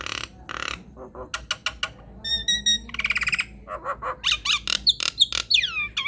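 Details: Nias hill myna lure song to coax other mynas to sing: varied harsh squawks and clicks, rapid buzzy rattles, then looping whistled notes curling downward, loud and close.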